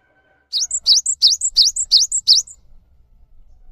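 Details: Singing cinereous tit, a lure recording for prompting silent caged birds to answer: six quick, evenly spaced high whistled phrases, each a swooping rising note followed by a thin higher note, almost three per second, then quiet.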